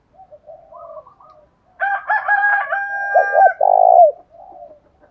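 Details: Spotted dove lure calls of male and female meant to spark fighting, with low soft coos, then a loud deep coo phrase overlapped by a long harmonic rooster-like crow in the middle.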